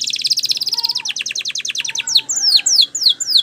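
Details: Spanish Timbrado canary song used for training canaries: a fast metallic trill of dense repeated notes gives way to slower falling whistles, then bright downslurred sweeps, with a faint low tone beneath.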